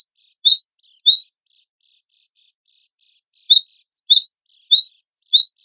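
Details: Cinereous tit, wingko type, in full song for training contest birds: rapid bright upslurred chirps in doubled notes, then a soft faint twitter and near silence lasting about two seconds before another quick chirping burst.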